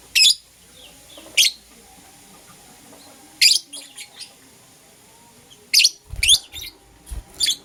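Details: Morning chirping from Euwing Green Opaline and Lutino lovebirds: piercing, high squeaky notes, first two single calls, then a quiet stretch, then a quick cluster of four or five shrill chirps near the end.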